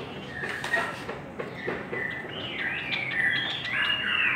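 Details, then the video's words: Chinese hwamei contest singing: scattered short whistles at first, then flowing whistled phrases that climb and loop, with a final rising, sliding whistle growing louder. Faint clicks in the background. "Chim họa mi hót đấu"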